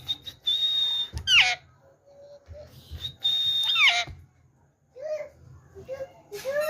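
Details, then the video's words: Pet green rose-ringed parakeet talking in a sweet voice, saying the phrase Miya Mitho: a pure level whistle, then harsh sliding voiced bursts, the sequence given twice, followed by softer squeaky rising syllables. "Sweet Voice Miya Mitho | Parrot Talking"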